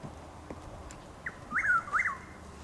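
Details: A male Chuck-will's-widow (Antrostomus carolinensis) sings near Lake Placid, Highlands County, Florida, around 6:15am on 12 April 2023, still dark, overcast and drizzling: a soft opening note, then two loud, swooping, rolling notes 'will's-WID-ow', with light raindrops ticking.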